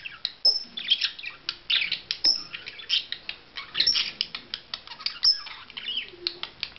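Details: Budgerigar in courtship display, rapid chatter of sharp clicks and high chirps with occasional short whistled notes, delivered in a steady stream of pulses.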